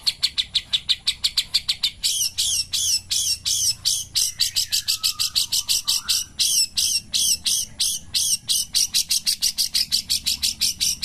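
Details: Long-tailed shrike singing in the morning: a fast, steady run of harsh, buzzy high notes, about three a second, with faint lower slurred whistles mixed in partway through.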